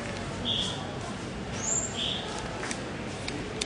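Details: Bird singing indoors in a Moscow hypermarket on Dmitrovskoe Highway, 22 July 2011, filmed on a Panasonic SDR-S26 camera; brief clear whistled notes, two mid-pitched and one higher and thinner, spaced over a steady hum of store noise.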